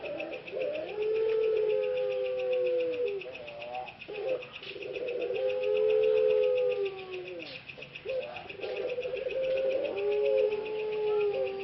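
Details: Pelung ringneck doves, three productive breeding males in Karanganyar, Central Java, Indonesia, caged and regaining a hoarse voice: three long, level, slightly falling coos, each opening with short rough notes, about four seconds apart, over steady cricket-like ticking.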